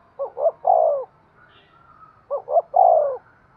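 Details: Spotted dove cooing to prompt breeding: two identical phrases about two seconds apart, each a pair of short hoots and a longer, softly falling coo.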